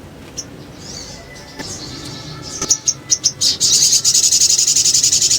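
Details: Sogon (little spiderhunter) song in ngriwik ngleper style for luring birds: faint high notes, then accelerating sharp chirps and a loud rapid high trill.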